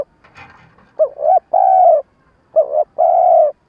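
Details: Spotted dove decoy for trapping wild doves, giving two stuttering phrases of a wavering two-part coo and a long steady coo, after a faint rustle at the start.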